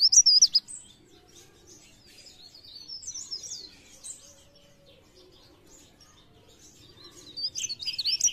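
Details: Mountain leaf warbler (cikrak daun) song in the pre pare, blereng gacor style, used as a lure sound for trapping; high thin twittering bursts at the start and end, with quiet gaps between.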